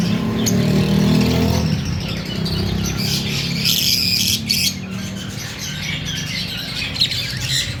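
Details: Fischer's lovebirds (Agapornis fischeri) in an aviary give shrill, rapid chirps and harsh squawks in uneven bursts, several per second, over a steady low rumble like traffic or music.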